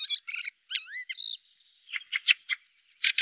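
Fieldfare giving harsh, scratchy chattering bursts mixed with a few squeaky, rising whistled notes. The notes come in quick irregular clusters, with no other sounds.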